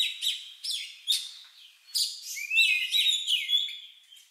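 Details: Oriental magpie-robin with an unusual song likened to a lovebird's, used to prompt other birds to sing. Sharp high chirps repeat about every half second, then give way to a run of rising whistled slurs.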